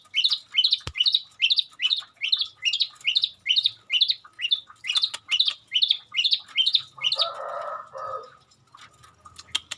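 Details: Long-tailed shrike mimicking garden birds with a rapid train of high scratchy chirps, over two per second, ending in a soft low murmur and scattered clicks.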